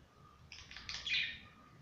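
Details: Budgerigars at play indoors: a brief burst of scratchy, buzzy chirping that swells into a harsh, high chattering note.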